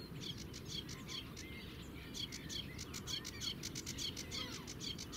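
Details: A sedge warbler at the Zouweboezem, Netherlands, filmed from a distance, delivers a rapid, varied, chattering song with dry buzzy notes, high ticks and short whistled slurs over a steady low rumble of wind.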